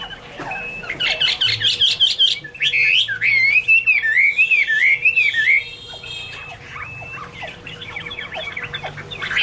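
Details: Chinese hwamei song: a loud run of varied whistled phrases, then a long warbling, wavering whistle, with rapid notes and a steady faint hum beneath.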